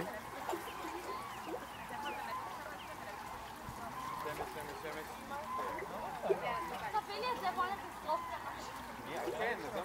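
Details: A flock of mallards in Israel giving a busy, overlapping chatter of nasal quacks and soft murmuring calls, over steady background noise and possibly voices.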